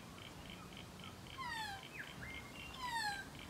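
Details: Nearby magpie gives two descending, buzzy-nasal calls, while a softer repeated chirping and a brief whistled note sound in the background.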